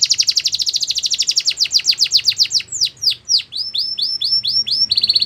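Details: Singing Belgian canary, used as a training song for young canaries; a rapid high trill slows into descending swept notes, then a string of arched whistles and a short buzzy roll at the end.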